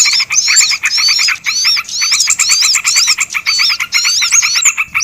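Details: Lure sound used to draw in small birds, a nonstop layered chorus: looping, high, wavy whistled notes riding over a rapid, evenly pulsed buzzy trill.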